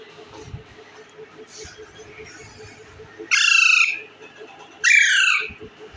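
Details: Bread-eating Indian ringneck parakeet is quiet at first, with only soft background ticking, then gives two loud, harsh, nasal squawks about one and a half seconds apart.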